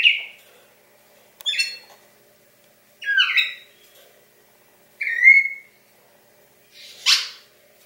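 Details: Brazilian cardinal, a captive-bred pet male, singing on Christmas morning, December 25, 2016: short separate whistled phrases about every two seconds, some clear and sliding, some burry, in a quiet room.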